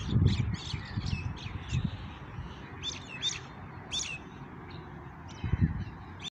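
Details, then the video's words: Evening birdsong: many brief, sharp chirps and tweets from several birds, closely spaced and overlapping, with a few louder low thumps or honk-like sounds near the start, middle and end. "Birds chirping sound in the evening"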